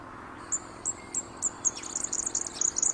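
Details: A Red-backed Fairywren's local song is played back on a male's territory in a playback experiment: a very high song of spaced thin notes speeding into a rapid reeling trill. The territorial male responds by attacking the model.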